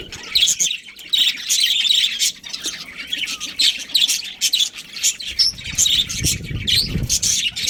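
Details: Budgerigars from a breeding colony, with a breeding pair, chattering together in a dense flock chorus of rapid, scratchy, high chirps and squawks, continuous with short pauses, and some low rumbling near the end.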